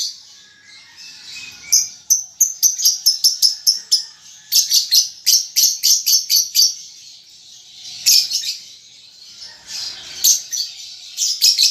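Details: Young lovebird under five months practising ngetik and ngekek chatter: long runs of quick, high ticking chirps repeated several times a second, broken by short pauses.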